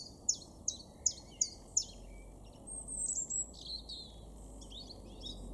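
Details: In an April garden in Weener, East Frisia, northwest Germany, a chiffchaff gives five bright, high, sharply falling notes in quick succession, then stops as a thin high whistle and soft twitters from other birds follow.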